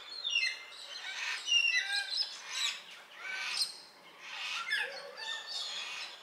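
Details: Flock of 14 Baudin's black cockatoos feeding on marri seeds at Narrikup, 23 December 2022: harsh, grating squawks overlapping in loud bursts about every second, mixed with thin higher whistled notes.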